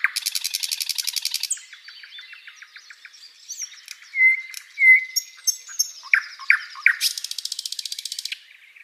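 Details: Flycatcher song as tutor material for cage birds: a fast, high rattling trill, soft ticking notes, two loud, clear whistles, a string of sharp chirps, then another rapid rattle.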